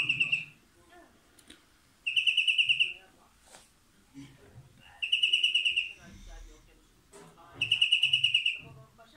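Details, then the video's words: European greenfinch (Carduelis chloris) sings rapid, ringing rattled trills of under a second each, repeated every two to three seconds, over a faint low background rumble. "Greenfinch Song"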